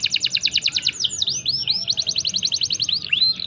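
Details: Canary performing long rolled chirps, recorded for mastering young birds or encouraging silent ones. A rapid pulsing roll shifts into drawn-out swooping whistles, then a quick even trill again.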